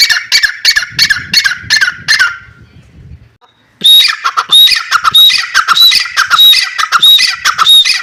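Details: Loud, rapid, raspy calling from a grey francolin (teetar). A brief quiet gap interrupts it. Then a fresh series of harsh notes starts, each topped by a thin high whistle and repeated steadily.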